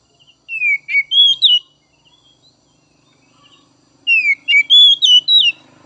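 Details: White-rumped shama song used to rouse other kacer birds: two matching phrases of a few soft notes leading into falling and rising whistled slurs, with a faint low hum in the background.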